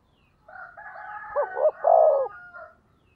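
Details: Decoy spotted dove calling to provoke rival birds: two short rising coos then a longer rolling coo, low and mellow, over a faint steady higher-pitched droning tone.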